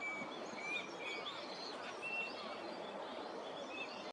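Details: Eurasian teal (Anas crecca) at a park pond in Tokyo in January, in courtship display for pair formation among wintering ducks, give short, clear whistled notes, about five in four seconds, irregularly spaced, over a steady rushing hiss.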